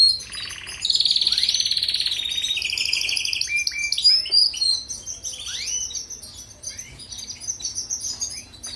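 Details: European goldfinch song used as a tutor for canaries, opening with steady buzzy trills on a few pitches, then sweeping upward notes and scattered twitters that fade toward the end.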